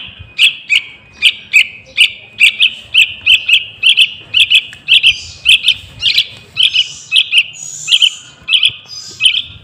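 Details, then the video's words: Yellow-vented bulbul chick chirping to lure wild birds, with rapid, insistent high notes close together, almost two per second, and occasional softer squeaky sounds in between. "Suara Anak Burung Trucukan | Pancingan Pikatan Trucukan Liar"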